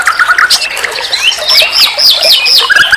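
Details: Tutor recording of nightingale song: a short low trill, then repeated looping upslurred whistles and a final rapid trill.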